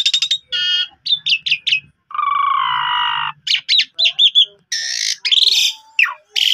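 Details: Song of an Asian pied starling, used to make a sulking bird sing again: clicking notes, a long flat buzzy tone, then clipped chirps and harsh noisy bursts.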